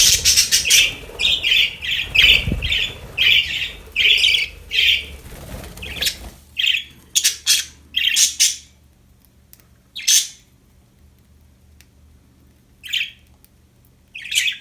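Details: Cheerful budgies in a flock giving rapid, scratchy chirps and warbles, dense and continuous for the first six seconds, then scattered single buzzy notes with quiet gaps between them.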